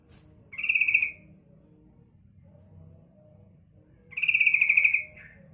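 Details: Two buzzy, rattling chatter bursts from a female sooty-headed bulbul, calling to lure males. The bursts come about three and a half seconds apart over a soft low background hum.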